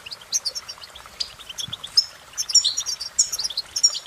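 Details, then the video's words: Goldfinch song: rapid, bright twittering of high tinkling notes and short buzzy trills, delivered in uneven bursts with brief pauses between phrases. "impress The Goldfinch With Bird Melodies"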